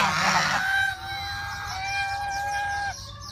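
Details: One long, blaring, hoarse honk from a goose at Preah Chhor pagoda, Prey Veng Province, Cambodia, followed by a sustained, steady whistled tone lasting about two seconds against low background hum.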